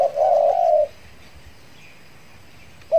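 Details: Spotted dove, a trained decoy bird used to lure wild doves after finishing its moult, giving one drawn-out low coo followed by a short clipped note after a long pause.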